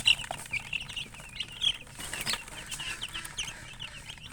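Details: Chickens and a colored hen: sharp high peeps come in short bursts, mixed with brief noisy rustles and clicks.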